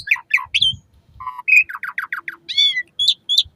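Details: Asian pied starling song for training caged birds, morning and evening: downslurred chirps, low whistled notes, a rapid run of falling slurred whistles and drawn-out squealing calls, with faint low knocks.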